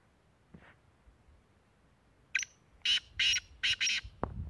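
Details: Kala teetar, the Black francolin, at Tank in Khyber Pakhtunkhwa, Pakistan, giving a loud series of five harsh, scratchy notes in fast succession after a short quiet start, ending with a sharp knock.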